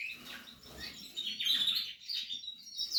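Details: Portuguese harlequin canary nesting, singing a rapid high warble with bright whistled trills rising in intensity toward the end.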